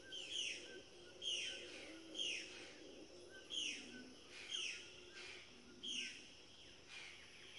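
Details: Scarlet macaw calling: a run of loud, harsh, downward-sweeping squawks with a raspy edge, about one per second over roughly seven seconds, above a low steady background hiss.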